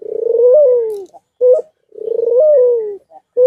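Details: White dove courting with repeated nodding: two long, purring coos that swell, rise briefly and fall, each closed by a short, sharp coo note, heard clearly in a quiet room.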